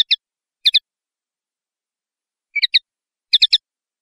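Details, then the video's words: Common linnet twittering with clean high chirps in small groups of two or three notes, separated by short gaps. "Canto Pardillo / Carduelis Cannabina"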